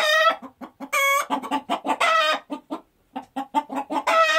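A chicken clucks rapidly in short, throaty bursts, breaking into a louder, drawn-out squawk a few times between runs of clucks.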